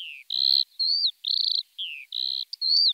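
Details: Common starling singing a run of clear whistled notes, some flat, some falling, one trilled and buzzy, each about a third of a second with short gaps.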